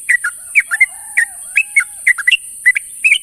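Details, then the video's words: Sooty-headed bulbul calling companions at morning, giving paired and tripled chirped notes in quick bursts, some sliding downward, alongside a faint lower drawn-out tone and a steady high hiss. "suara burung trucuk memanggil kawan di pagi hari"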